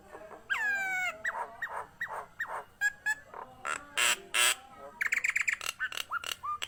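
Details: Very vocal Nias hill myna used for tutoring and prompting other birds: a long falling-then-flat whistle, followed by varied clucks, short whistles, two loud harsh bursts and a quick series of sharp chattering notes.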